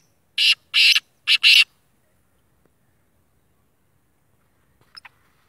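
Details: Black francolin, kala tetar, an all-black sheedi bird: three harsh, loud rasping notes in quick succession, the last two close together, then near silence with a faint click.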